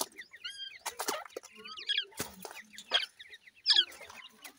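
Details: Feeding grey francolin chicks make thin, wavering high chirps and short tremulous peeps, loosely spaced, over frequent sharp pecking clicks and tapping noises.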